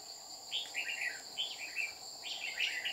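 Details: Red-whiskered bulbul singing during trapping in Đồng Nai, 30 July 2019, as a wild bird comes down repeatedly to threaten the decoy; short warbled, slurred phrases repeated several times over a steady high insect whine.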